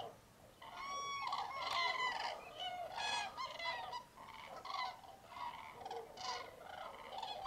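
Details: Massed common cranes at dawn in fog at their roost in Tablas de Daimiel National Park, Spain, January. After a quiet start, loud trumpeting bursts repeat about every second, answered by many more distant callers.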